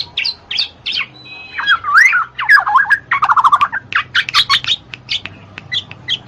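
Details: Black-naped oriole, meant to get reluctant birds singing: wavering mellow whistles in the middle, mixed with many quick chirps and a buzzy stretch from other birds.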